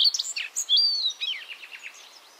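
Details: A common redstart (Phoenicurus phoenicurus) in the Netherlands sings a short phrase: a few clear, high whistled notes, then a quick, scratchy twittering jumble that fades away.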